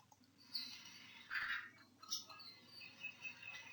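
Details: ʻĀkohekohe, the crested honeycreeper of Maui, an endangered nectar-feeding pollinator known as the bully of the forest: a few harsh, buzzy notes and brief higher squeaks spread irregularly over a quiet hissing background.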